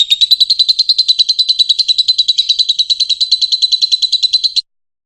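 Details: Fischer's lovebird song for teaching young birds to sing: a steady, evenly pulsed high trill lasting over four seconds, then stopping abruptly into silence.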